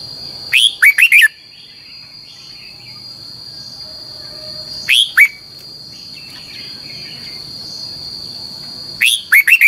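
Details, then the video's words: Training song of a red-whiskered bulbul in the double-twisted style. Three clipped, bubbly phrases of rapid bright notes are spaced roughly four seconds apart, and a continuous high electronic-sounding tone runs underneath. "luyện giọng cho chào mào hót hay - Giọng kép xoắn dài"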